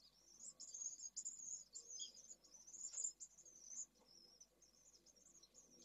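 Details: A pallid swift, recorded 2 June 2022, gives a near-continuous run of shrill, buzzy, wavering trills, very high-pitched and rising and falling in bursts, with faint background noise.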